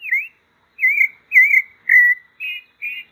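Pale-breasted thrush singing clear, slurred whistled phrases, about six in three seconds, mid-high pitched with some wavering, against a quiet background.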